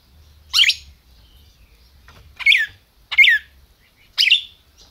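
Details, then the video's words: Red-crested cardinal kept in captivity in Brazil, known as a 'máquina', calling and singing with four crisp, ringing chirps that fall in pitch, spaced about a second apart. "Cardeal MAQUINA chamando e cantando"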